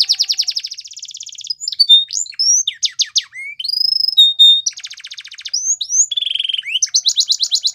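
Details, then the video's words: Training song of a Belgian canary meant for young canaries to learn, built from fast buzzy trills alternating with sharp rising and falling whistled notes and short sweeping phrases, clean and without background noise. "Canary Training Song | Belgian Canary"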